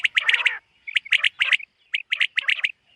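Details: Summer meadow morning, 2023: a common quail gives a burry opening, then crisp three-note phrases, each group about a second apart.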